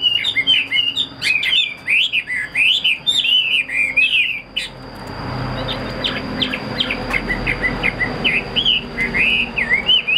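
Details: A caged Chinese hwamei, described as a fighting bird with tight wings and a spread tail, sings loud whistled phrases. The slurred notes rise and fall rapidly. A broad rushing noise follows, with fainter, choppier notes continuing over it.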